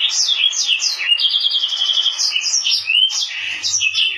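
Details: Mozambique canary x canary hybrid singing a rapid, continuous warble of high, bright whistled notes and trills, with quick rising and falling slurs and a short buzzy stretch, in a quiet indoor setting.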